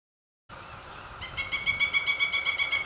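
A woodpecker gives a fast, harsh rattling chatter of about eight sharp notes a second, high and dry, over a faint hiss.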